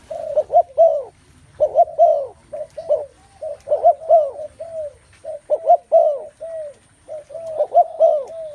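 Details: Spotted doves calling together, repeated mellow coos in clustered bursts with short silent breaks, phrases rising and falling gently, over a faint low-frequency murmur.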